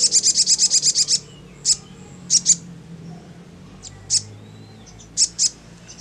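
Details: Crimson sunbird (sogon) in ngleper song, which draws quick replies from other sunbirds: a rapid run of about nine very high, sharp notes, then single and paired piercing chirps spaced irregularly.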